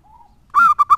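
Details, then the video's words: A faint thin tone comes first, then a lively local zebra dove used for luring gives one drawn-out bright note and two short clipped ones. "Perkutut lokal gacor suaranya mantap abis buat pancingan."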